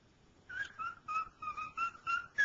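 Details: Male cockatiel at home attempting "Dixie": seven softer whistled notes at fairly even intervals, mostly level in pitch with a higher final note.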